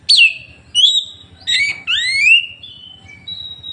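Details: Loud whistled 'tembakan' phrases of an Oriental magpie-robin in Woncoyo village, Trenggalek, Indonesia, phone-recorded: strong downslurred and long rising whistles, then softer sustained tones, against quiet low background noise.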